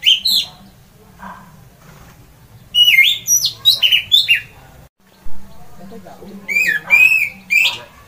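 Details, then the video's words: Orange-headed thrush in loud 'ngeplong' song, said to make silent birds start singing: rich whistled phrases with steep rising and falling slurs, grouped into strong bursts separated by short quiet gaps. "mendengar ngeplong keras anis merah ini"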